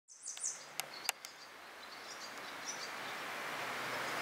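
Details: Grey wagtail (Motacilla cinerea) at Agano, Japan, on 16 May 2018, calling: a quick burst of thin, very high calls and a few sharp ticks in the first second, then a steady rushing noise builds.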